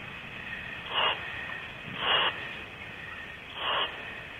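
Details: Adult owls near a nest cavity at night, Starr Ranch, 10:25 pm on 7/4/12: three harsh, breathy hisses spaced about a second apart over steady background noise.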